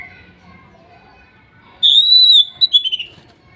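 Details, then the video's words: Greater green leafbird, wild-sourced forest bird from Kuningan with spotted and masked birds, used as therapy for a bird that stopped singing: a long pure whistle held level, then a few quick descending notes; faint chatter underneath. "TERAPI CUCAK IJO MACET BUNYI BAHAN HUTAN KUNINGAN TROTOL DAN NOPENG"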